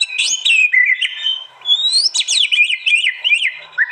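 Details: White-rumped shama from East Java, Indonesia, in a compilation of real songs recorded on an Android phone: high, bright whistled phrases with steep upsweeps and quick downslurs, delivered in dense bursts.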